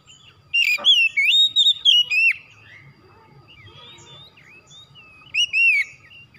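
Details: Oriental magpie-robin, kacer, with a rapid series of bright whistled notes and slurs, a quiet pause with soft distant chirps, then another falling whistled phrase.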